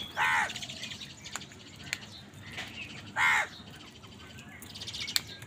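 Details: Two loud, raspy, drawn-out caws about three seconds apart from an angry crow contesting food with wild birds, with faint twittering of small birds in the gaps.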